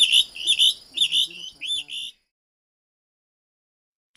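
Plumbeous Rail giving a loud run of harsh, squealing notes, about two a second, for two seconds, then silence.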